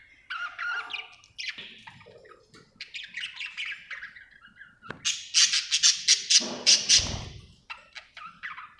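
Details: Happy budgerigar chattering continuously: warbled chirps and scratchy squawks, then a loud rapid series of harsh clicking notes before softer chirps return.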